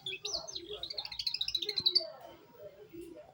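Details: Young canary beginning its rolled song: a slurred whistle opens, then a rapid even trill of bright repeated notes for about a second and a half, followed by softer, lower twitters.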